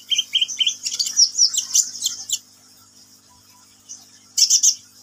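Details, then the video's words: Sunbird singing actively: three rapid clipped chirps, then a dense, jumbled, very high twittering warble for over a second, a pause of near silence, and a final short burst of high chirps. "KICAUAN BURUNG KOLIBRI NINJA GACOR"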